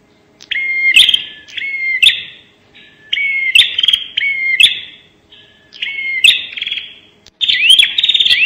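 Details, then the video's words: Lure sound of a bar-winged prinia, 'nembak' style: a steady series of about seven loud phrases, each a whistled upslurred note followed by a dense buzzy trill, ending in a more jumbled, intense burst. "pancingan suara burung prenjak nembak"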